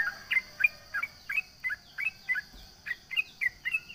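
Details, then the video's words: Sooty-headed bulbul (trucukan) in full song, taunting rivals: bright two-part chirps repeated about four times a second in an even, bouncing rhythm, with a constant thin high whine behind. "SUARA trucukan gacor MENGEJEK LAWAN"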